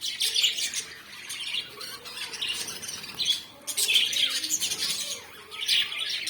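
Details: Lovebirds, described as a South African bird, giving clustered bursts of shrill, squeaky chirps and squawks in waves about every one to two seconds, with quieter twittering between the louder outbursts.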